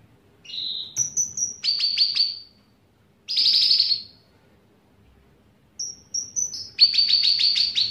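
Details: Cucak ranting bulbul, its song including cicilin phrases: a slurred buzzy note, thin high whistles, rapid stuttering chirps, a dense harsh burst, then more high whistles and a quick trill.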